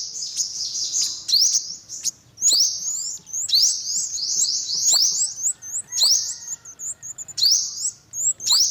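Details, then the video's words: Sharp, high-pitched upslurred chips from an olive-backed sunbird, delivered in irregular clusters with brief pauses, each note sweeping quickly upward and sounding thin and piercing. "tiếng chim hút mật 5 màu bụng vàng"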